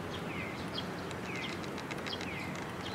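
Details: Several sparrows arriving to be fed at a perch on 19 May 2022 give quick, bright chirps and slurred notes in a busy overlapping series against constant low rumbling noise.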